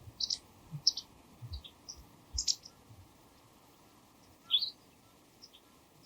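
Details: White wagtail giving bright, high, clipped chirps, often doubled as quick two-note "chi-pi" calls, spaced irregularly about every second or two. Faint low clicking and tapping sounds are heard underneath.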